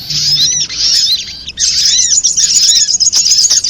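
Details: Sogok ontong, a spiderhunter, in a trapping lure recording: dense, high, sharp chirps and twittering notes in two long bursts separated by a short pause, with quick downward-curving squeaks.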